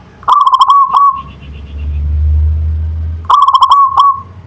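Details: Local zebra dove in manggung singing: a burst of quick staccato clicks running into a trilled, warbling coo, repeated about three seconds later, over a low engine-like rumble.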